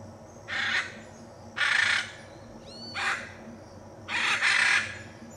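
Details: Hyacinth macaw in the Pantanal, Brazil: loud, harsh, raspy squawks, four broad noisy bursts about a second apart, one doubled, over a quiet background hum.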